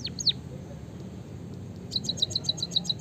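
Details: White-headed munia singing a canary-like song: a few high downslurred notes, then a quick series of short high chips repeated evenly, over low background hum.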